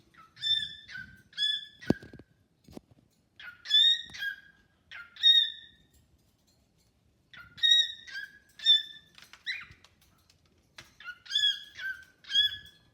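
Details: Pet cockatiel singing and chatting with a new bird indoors: repeated harmonic whistled phrases with flat tones and short rising slides, delivered in bursts about a second apart with brief pauses, a few faint knocks between.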